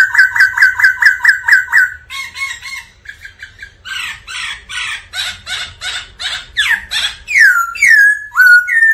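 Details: Black laughingthrush in full song while displaying: a quick series of about a dozen ringing notes, then harsh buzzy chattering bursts repeated steadily, ending with loud descending whistled slurs.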